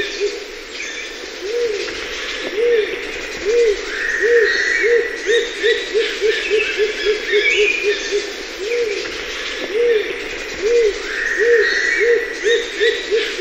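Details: Rose-crowned fruit dove (Ptilinopus regina) calling twice. Each sequence of low, rounded hoots begins slowly, then accelerates into a quick, tumbling run. Several other birds whistle and chatter higher up throughout.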